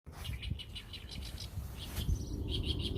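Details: Small bird giving a run of short, high chirps repeated in quick succession, followed by a brief thin whistle and a few more chirps, over a steady low rumble.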